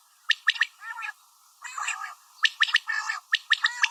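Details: Female common quail calls: bright staccato chirp triplets alternating with longer buzzy, rasping notes, delivered in quick bursts.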